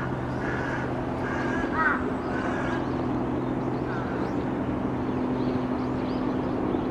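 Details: A flock of crows at Shukkeien garden, December 2017, attacking a little egret that has just taken flight. A burst of several hoarse caws in the first three seconds, then fainter calls, all over a constant low engine-like drone.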